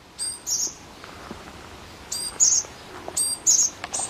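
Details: Japanese tit calling in three evenly spaced phrases over four seconds. Each phrase is a quick pair of very high, thin notes: a sharp stacked chirp, then a brighter ringing note, against a quiet hissing background.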